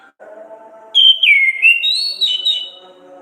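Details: Orange-headed thrush in energetic 'ngeplong ngriwik' singing style: a bright, sliding whistled phrase, falling then rising and wavering, over a low, steady murmuring background.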